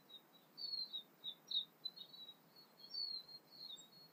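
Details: Tūī song at sunrise, early morning in the south Pacific: busy high-pitched warbling with slurred whistles and sharp chirps, short phrases running into one another, other birds also singing.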